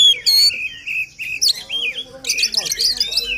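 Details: Short burst of White-rumped shama song for rousing a quiet bird: a bright whistled opening, sliding notes, then a dense chattering flourish.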